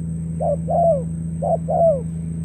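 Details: Spotted dove kept as a lure for trapping in Cà Mau, Vietnam, 21 February 2024. Two clear coo pairs, each a quick note followed by a longer, downward-sliding one, over a continuous low hum.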